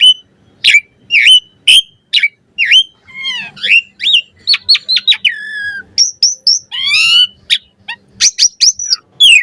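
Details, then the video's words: Asian pied starling varied song used as a master recording to train captive starlings: a string of sharp chirps and slurred whistles, then a quick series of clipped notes and high thin whistles, with a faint low hum. "Suara Jalak Suren Full Variasi Ocehan"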